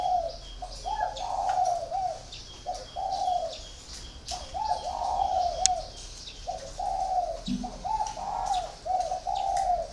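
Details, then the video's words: Còi spotted dove, four years in a cage, repeating a smooth low coo phrase with a short lead note and a longer held note, about five phrases. Light high chirps and a brief low thud are in the background. "còi 4 năm lồng"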